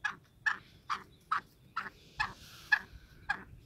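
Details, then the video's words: Black francolin moving about freely, repeating short grating notes a little over twice a second, with a faint thin whine running beneath them. "Black Francolin Voice Kaly Teetar Ki Awaz Kala Teetar Azad Ghomty Hoay"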